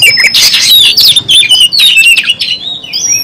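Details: Oriental magpie-robin in full song while fighting and spreading its tail: loud, fast run of clear whistles and sliding notes mixed with harsh buzzy bursts, very close and dense.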